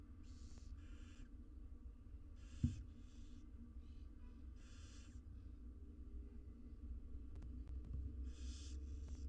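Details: Wild barn owl nestlings being fed inside a nest box: harsh, hissing snore-like begging bursts, about half a second each, in irregular clusters over steady low hum and occasional knocks.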